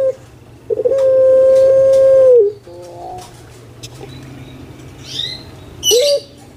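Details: Captive collared dove of the Javanese pelung singing style: a steady, drawn-out hollow coo of about two seconds ending in a quick downward bend, then quieter scattered sounds and a brief final note.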